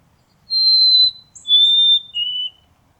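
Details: Close-up recording of a White-throated sparrow singing its whistled song: a long clear note, a slightly lower second whistle, then a third, lower still. All three are steady and pure, with near silence around them.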